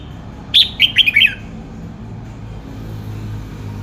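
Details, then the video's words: Red-whiskered bulbul singing: one short burst of about five quick, clear, liquid whistled notes dropping in pitch, over a low steady background hum. "tiếng chào mào hót"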